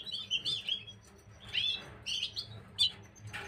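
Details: Gloster canary, 9 January 2023, singing short clusters of sweet high trills and chirps separated by brief pauses, over a soft low hum.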